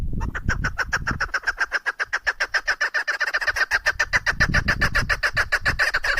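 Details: A female chukar partridge used in hunting calls in a rapid, even series of clipped chuk notes, roughly four per second, carried on through the whole stretch over soft low background rumble.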